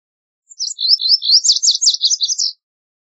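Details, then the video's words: Lazuli bunting singing a rapid two-second phrase of high, scratchy, slurred notes, starting with thin chips and building into paired, buzzy down-and-up sweeps, clean with no other sounds. "Lazuli Bunting Song! Lazuli Bunting Call! Sound! - Azulillo Lapislázuli Canto - Passerina Amoena"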